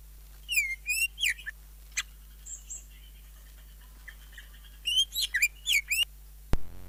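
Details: Greater green leafbird song, full of isian fill-in phrases and jamtrok, meant as a tutor recording for kept songbirds in Indonesia: bursts of clear whistled notes sliding up and down with sharp chips, separated by short pauses; a click at the end.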